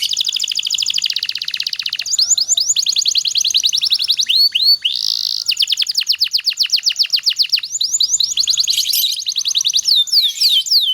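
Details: Canary song in the dense, long-running nembak rapat style, used as a master recording to get other canaries singing: fast high trills of sharp repeated notes, about four per second in bursts, linked by short buzzes and sweeping whistles.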